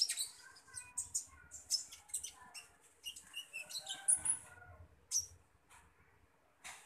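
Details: While being fed, a common iora gives a run of quick, high twittering notes and brief thin whistles, busy at first and then tapering to scattered single chirps.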